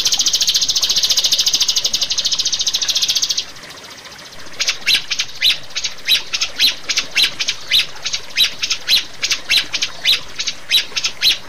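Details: Rio-rio bird, recorded as master and lure sound to train caged birds: a rapid buzzy high trill for three seconds, a brief gap, then sharp high notes repeated about twice per second.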